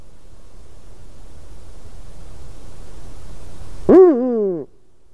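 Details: On 12 March 2019 at 18:26 a Eurasian eagle-owl in a white-tailed eagle's nest gives one brief, grating call with rich overtones near the end of a hissy stretch.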